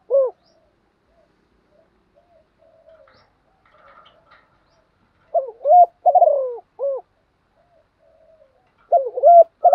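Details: Spotted dove decoy cooing to agitate newly caught birds; after quiet soft murmuring, two deep three-part phrases sound, a quick coo, a long rasping downslurred coo and a clipped final note.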